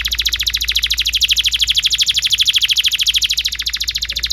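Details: Canary in full song, used as master song for young canaries, delivers a long fast roll of high, repeated chirps, slightly pulsing in loudness, over a quiet low hum.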